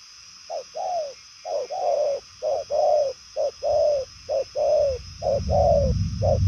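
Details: Purple-legged 'đồng son' spotted dove cooing at 'tốc độ' speed: brisk short-long coo pairs in a steady series, with a rumbling noise rising toward the end.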